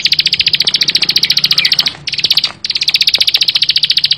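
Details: Bar-winged prinia, called ciblek sawah, delivers a continuous fast high ticking trill with a brief break near the middle, steady and metallic.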